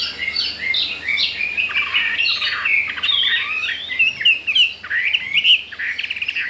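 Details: Caged wild-caught Chinese hwamei, newly arrived and eager to breed, singing a dense, lively medley of bright warbled notes and quick chirps. The phrases tumble into each other.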